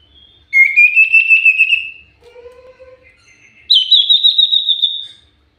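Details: Common iora lure song, very active: a long trilled whistle that rises slightly, then a softer low steady tone, then a second, higher trilled whistle that slowly falls.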